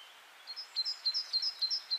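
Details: A Great Tit sings in winter: monotonous, whistled two-note phrases, high then low, repeated about three times a second against a faint outdoor hiss.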